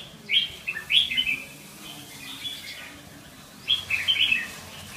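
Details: Red-whiskered bulbul calling in two quick bursts of bright, slurred chirps, one near the start and one near the end, with a steady low hum behind.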